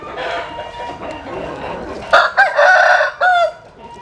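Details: Rooster crowing at dawn as chickens sun themselves in the morning: soft distant crows, then a loud close crow with a broken start and a long sustained tail.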